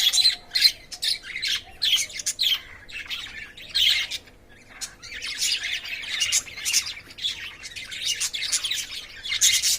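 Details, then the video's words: Lovebirds courting in a cage give loud, grating squawks and shrill chirps in separate bursts, with short quiet gaps, including a calmer stretch midway. "love birds 🐦 making sound 🔊 and playing"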